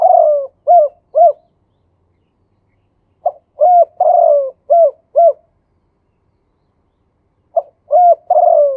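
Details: Male spotted dove singing 'khu ang' with 'yon two kuk' phrasing, as valued in Thai dove keeping. The low coo phrases repeat about every three to four seconds, each ending in rounded arched notes, with quiet between them.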